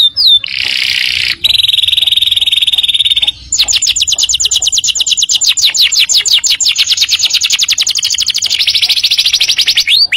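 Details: Canary song serving as a training master for young birds: a steady buzzy held tone, then long fast rolling trills of evenly repeated notes continuing for several seconds, bright and high.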